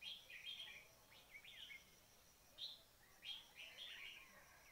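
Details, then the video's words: Bird trapping with a red-whiskered bulbul lure: sharp, bright chirps and short warbled phrases come in irregular bursts, some notes sliding downward, with quiet gaps between groups. "Bẫy chim chào mào - cuab noog diab"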